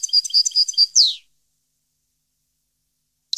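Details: A short burst of European goldfinch song, 2015: about a second of quick, bright chirps finishing with a buzzy downslurred note, followed by silence and the start of another phrase.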